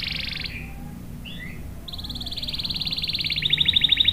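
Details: Canary in full song, used as a lure and tutor for young males and for birds that have stopped singing: a high buzzy trill, a pause with two short chirps, then a long steady roll that speeds into sharp repeated notes.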